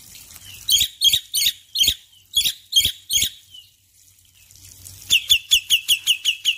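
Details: Morning song of a male black-winged myna: a string of harsh, rasping bursts about three per second, a short pause, then a faster, tighter series of similar scratchy notes.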